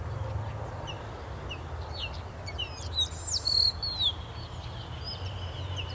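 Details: In the southern hemisphere in spring, as the breeding season begins, Grayish Baywings sing complex melodies in chorus: clear, high whistled notes and slurs from several birds overlapping, each on its own rhythm, over a low rumble of wind.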